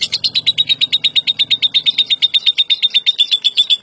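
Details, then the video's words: World champion lovebird delivering a long, rapid string of shrill, uniform chirps, roughly seven a second, held at a steady high pitch throughout. "SUARA BURUNG LOVEBIRD JUARA DUNIA"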